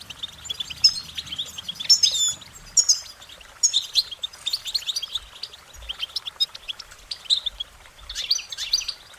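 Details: Goldfinches sing cheerful warbling notes in a busy, continuous twitter of high chirps and short trills, with louder buzzy bursts appearing every second or two.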